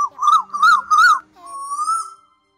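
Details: Asian koel lure call for night netting of migrants, August 2024: three quick wavering whistles run together, then a longer, smoother rising whistle fading out, with a faint constant hum underneath.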